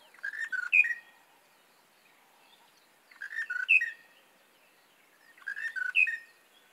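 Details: A monotonous lark singing early in the morning near Shingwedzi Camp, northern Kruger National Park, repeats a short, fluty phrase of rolling whistled notes about every two and a half seconds, three times, with quiet between.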